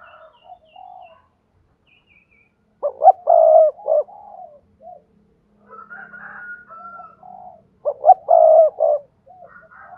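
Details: Spotted dove cooing played to make other doves call: two loud phrases of clipped notes and a held low coo about five seconds apart, softer coos between and a faint higher whistled tone.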